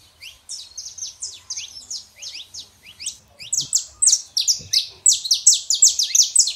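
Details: Singing male and female Saffron finch meant to spur a quiet canary; high, quick falling chirps repeated about 160 times a minute, softer at first, then louder and denser in the second half.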